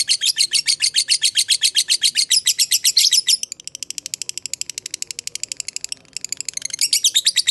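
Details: Fighter lovebird ngekek, long chattering song used to prompt other lovebirds to join in: fast harsh high notes, then a quieter, even faster fine rattle, a short pause, and the loud chatter returning.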